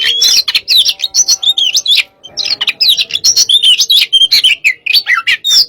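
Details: Oriental magpie-robin, hot type, in a pacingan session, pouring out lively whistled and chattering phrases, with one short break of about a quarter second midway before the dense, varied song resumes.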